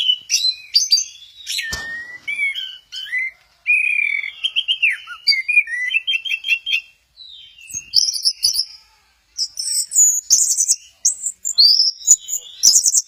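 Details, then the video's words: Orange-headed thrush singing at Kesamben while doing a 'goyang inul' sway: a long rich run of varied whistles, trills and scratchy high phrases in quick bursts with brief pauses. "Burung Anis merah, lagi goyang inul"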